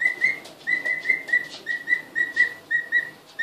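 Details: Just-arrived emu chicks, two weeks old, having a first look at the house: steady chain of clear, high whistled peeps, about three to four per second, each slightly rising, over faint background hiss.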